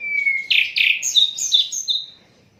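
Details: Brief Asian brown flycatcher phrase from an unedited recording for training songbirds: a flat thin whistle, then a burst of loud warbled chirps stepping up to high short whistles.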